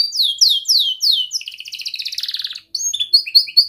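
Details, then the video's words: Young canary singing, a recording used to train other canaries: a series of down-slurred sweeping notes, then a dense buzzy roll, then crisp chirping notes, with clean silence behind. "Kenari Gacor Muda Rol Rapat Cuit cuit ngeroL"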